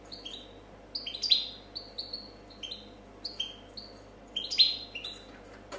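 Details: European goldfinch champion from 2014 in clean copia song, softer and more distant: a steady series of short twittering phrases of paired falling notes, about one per second, with faint clicks in the background.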